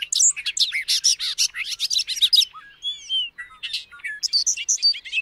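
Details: Bobolink (Dolichonyx oryzivorus), song.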